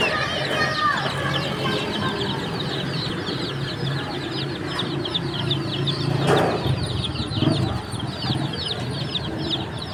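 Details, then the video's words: Many chicken chicks peeping together, a dense flurry of thin descending chirps that never pauses, with a brief rustling burst partway through and a low background hum. "Relaxing Chicks Chirping Sounds in Nature"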